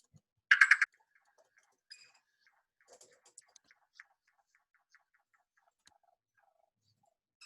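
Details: Yellow-billed Cuckoo in Texas, heard around natural springs and rivers: a loud, throaty opening burst, sometimes likened to a frog or toad, then hollow clucking notes that slow down, with faint room echo; a slow mover through the treetop canopy hunting caterpillars.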